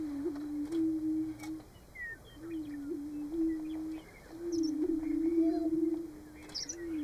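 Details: Greater prairie-chickens displaying at a March lek in Nebraska: deep, mellow booms in rolling overlapping phrases, a short gap before a long steady hum, and a few high clear notes from a meadowlark singing behind.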